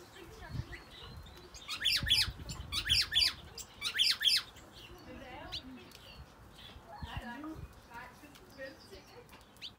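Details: A male red-crested cardinal in an aviary sings three bright, slurred phrases about a second apart, then quieter chips and chirps follow against a soft background hiss.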